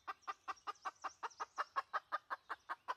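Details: Red junglefowl hen, recorded in 2020 as a junglefowl lure, giving a loud, continuous series of rounded clucks about five per second, with faint low rumble behind.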